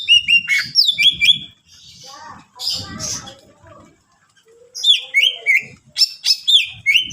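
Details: Greater green leafbird singing a rich 'full isian' song to provoke other leafbirds: quick strings of bright downslurred whistles, a pause with muffled low noise, then more rapid descending whistled notes.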